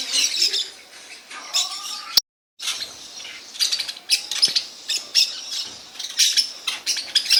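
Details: Parakeets (maritacas) in a home recording, giving harsh, raspy screeching squawks in rapid irregular bursts, several overlapping, with a brief silent break partway through and a faint tonal whistle early on.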